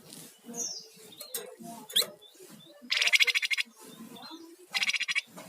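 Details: Lively Sunda warbler song in rattling and whistling styles, played as a lure and master for songbirds: two strong, dry, rapid rattles of under a second each, with thin high whistled notes and low background murmur between.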